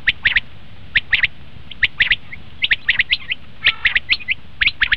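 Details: Common quail calls used as a lure for quail hunting: short sharp notes in quick pairs and triplets, repeated at an uneven pace, with several birds seemingly calling over each other.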